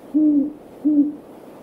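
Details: Several great horned owls in a backyard one evening; one gives two low, soft, even hoots about three-quarters of a second apart over a quiet background. Great horned owl (Bubo virginianus), hoot.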